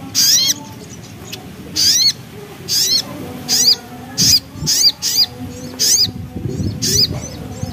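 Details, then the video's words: Javan black-capped babbler singing in a lively nembak and ngriwik style: loud, high, upslurred whistled notes, mostly single but sometimes paired, repeated about every half second to second over a constant low hum. "Suara Nembak Ngriwik Burung Sogok Ontong Gacor"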